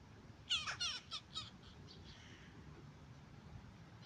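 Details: Western jackdaw chick being fed, giving a rapid run of five harsh, grating begging notes in about one second, quickly fading to softer rasps and then quiet outdoor background.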